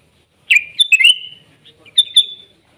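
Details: Wild sooty-headed bulbul singing in gacor, nggaruda style: a bright downslurred burst of notes and a thin sustained whistle, then two clipped high notes near the end trailing into a fading whistle.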